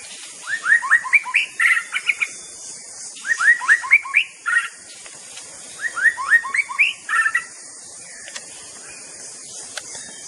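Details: Song of a white-rumped shama (murai batu): three similar bursts of quick, upward-sweeping chirps, each followed by a louder rattling note, spaced about three seconds apart, then a quieter pause with faint hiss.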